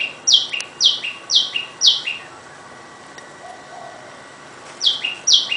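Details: Tailorbirds in a house garden by day give loud, sharp two-part notes dropping from high to lower, four in quick succession, then two more after a pause.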